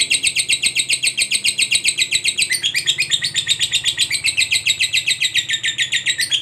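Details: Lovebird of fighter type chattering in a long ngekek, played to stimulate silent lovebirds: a shrill, machine-like run of rapid, even pulses, with a brief shift in tone partway through.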